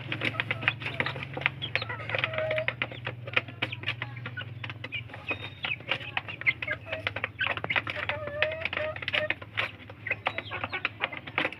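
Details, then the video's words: Chicks of the village chicken jostling for food: dense, rapid beak-tapping clicks throughout, broken by occasional short peeps and clucks, with a low droning hum early on. "Anak Ayam Kampung Berebut Makan, LUCU Suara Ayam"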